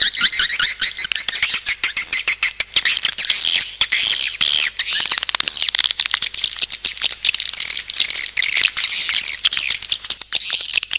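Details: Continuous swiftlet lure chorus, a thick wash of overlapping high chirps and twitters with constant crackling clicks throughout.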